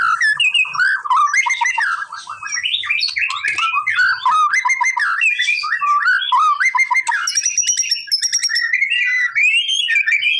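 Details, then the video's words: White-rumped shama song used to provoke a reply from a lazy bird: a continuous rich medley of fluty whistles, warbles and rapid trills, with high thin notes near the end. "MURAI BATU MALES BUNYI!!! CUMA BUTUH 5 DETIK LANGSUNG RESPON!!!"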